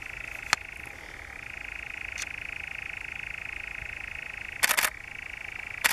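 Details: Continuous dry churr of a European nightjar, recorded in the Brecks, Norfolk, in July 2017. The reeling trill holds one pitch with a slight shift early on, broken by sharp clicking or clapping bursts.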